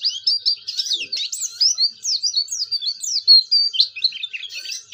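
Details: Lively Oriental white-eye song used to prompt other white-eyes: a nonstop, high-pitched warble of quick swooping whistled notes and thin chirps, bright and busy throughout five seconds.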